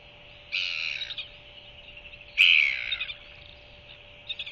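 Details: Royal albatross hatchling begging for food while its mother regurgitates a meal before settling it for the night, 21 January 2023; two drawn-out, high, rasping squeals, the second louder, then faint short chips, with a constant low background hum.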